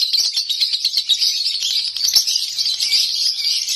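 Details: A home-kept lovebird sings konslet style, a loud, continuous high twittering with rapid notes blurring into a rolling trill.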